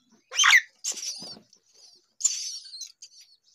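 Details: Hungry myna chick gives a loud harsh squawk, then rasping hissy calls trailing into thin high notes after a pause.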